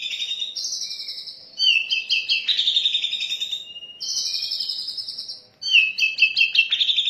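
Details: Oriental magpie-robin lure and master song with rich variation: long buzzy trills, clear whistled notes and rapid chattering runs, repeated in dense phrases with short pauses between.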